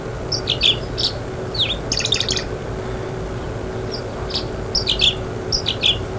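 Tree Swallow singing: short, liquid, high chirps and twitters in quick clusters about once a second, over a steady low hum.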